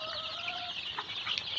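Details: Farm-raised Tiger chicken chicks in Sirajganj Sadar, Bangladesh, producing a dense chorus of high-pitched peeps; a lower steady tone runs under the first half, with a few louder peeps near the end.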